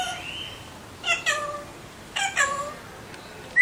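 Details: Alexandrine parakeet calls: two pairs of short harsh squawks with stacked harmonics, the first pair near one second and the second near two seconds, a faint whistle early on, then quiet indoor background.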